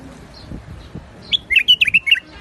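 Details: Rooftop-garden Iraqi bulbul, a white-eared bulbul, produces a fluent phrase of six or seven quick sweet whistles alternating high and low, preceded by soft background rustle.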